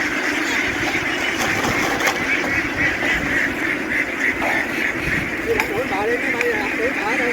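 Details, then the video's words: A farm duck flock hurries ashore and onto a boat with a buzzing, bee-like roar of many voices, broken near the end by a run of quick, wavering quacks. "The ducks ran ashore, making a noise like a swarm of bees as they boarded the ship."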